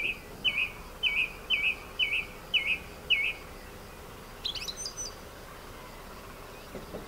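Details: Male song thrush, a recent breeder in the orange groves of the Ribera Baixa, Valencia, Spain: a run of seven identical, fluty two-part notes in quick succession, followed by a thin, high, scratchy flourish.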